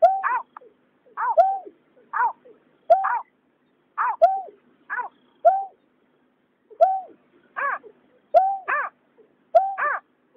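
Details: Calls of a male and female water rail from 2021: rich, chevron-shaped notes, often in quick pairs, repeated in irregular bursts. The recording is otherwise quiet.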